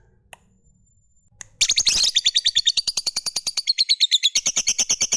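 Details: Lovebird of the fighter type, a long ngekek trill used to prompt other lovebirds to sing: after a faint tick and a quiet stretch, a burst of harsh noise leads into a fast, steady trill of high chirps.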